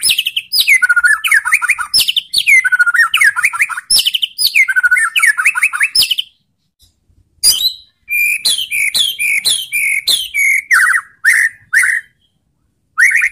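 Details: White-rumped shama, Indonesia, singing to goad other shamas into replying: bursts of fast, sweeping whistled phrases repeated about every two seconds, then a gap and a string of separate sharp chirps and whistles.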